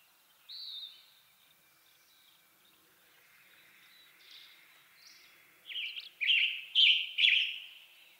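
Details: Western tanager from western North America: one loud burry note, then faint distant phrases, then a close series of four hoarse, slurred phrases about half a second apart near the end.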